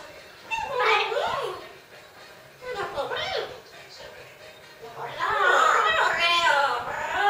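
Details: Two pet Amazon parrots sing a Greek children's song in a childlike, speech-like voice: three wavering, tuneful phrases, the last longest and loudest, in a small room.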